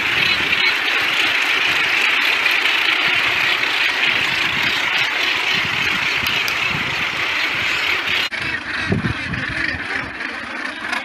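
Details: Many northern gannets in a crowded colony on Bonaventure Island, Quebec, make a dense, unbroken din of harsh, grating calls, overlapping so thickly that no single voice stands apart.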